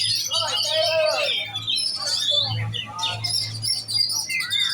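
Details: Oriental magpie-robin being trained for contests, singing sweeping whistled phrases and rapid twittering, with a steady low hum running underneath.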